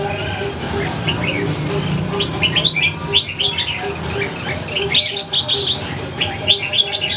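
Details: Captive red-whiskered bulbul in a fight with a wild bird, Ho Chi Minh City: a busy run of lively, warbling whistles and sharp chirps, with denser flurries midway and near the end, over a faint rhythmic low hum.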